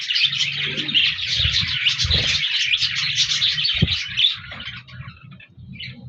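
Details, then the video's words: Budgerigars chirping on 14 January 2024: lively, high, rapid chatter from several birds for about four seconds, then thinning to a few scattered chirps, with low knocks and a faint hum. "Budgies Birds Singing Chirping Sounds Parakeets sounds"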